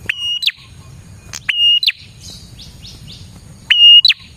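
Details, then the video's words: Prinia, a song for luring prinias: three loud phrases, each a sudden rise into a flat ringing whistle and a falling sweep, separated by soft upswept buzzy notes. "suara burung prenjak gacor ini 💯% Cocok Buat pikat dan pancingan prenjak bahan"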